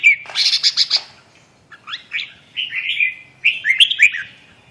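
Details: Red-whiskered bulbul, called phong sơn, mí đỏ, rơm tê giác, sings in siêu ché style. A fast burst of loud, pulsed notes is followed by looping whistled phrases that rise and fall, delivered loudly and close.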